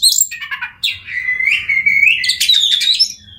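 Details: Oriental magpie-robin singing to make silent birds start singing, a sequence of high chips followed by a long clear whistle that swells and rises, ending in buzzy notes.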